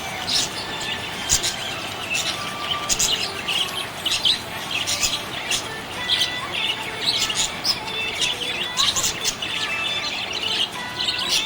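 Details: Happy budgie chirping: busy, twittering high notes and clicks in rapid irregular bursts, with short squawky accents and a soft constant background hum.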